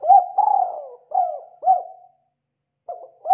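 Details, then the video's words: Spotted dove cooing as a lure recording for attracting birds: low, mellow, hooting notes in quick groups, with short clipped coos followed by longer, wavering, drawn-out ones, a pause, then the phrase begins again; no other sounds. "SUARA BURUNG DERKUKU TEKUKUR UNTUK PIKAT AMPUH"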